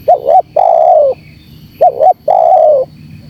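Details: Two close phrases of a spotted dove lure call aimed at wild doves: each has two short rising-falling hoots, then a prolonged level coo ending lower. The notes are loud and clear.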